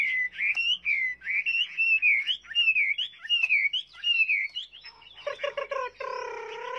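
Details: Hwamei delivering loud, clear whistled song: wavering, looping phrases repeated at a steady pace, then a burst of harsh chattering notes and a sustained tonal sound at the end.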